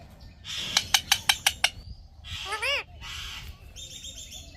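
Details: Talking Indian ringneck parrot gives six quick sharp clicks over a hissy background, then a rising-falling harmonic vocal phrase and more breathy, word-like noise.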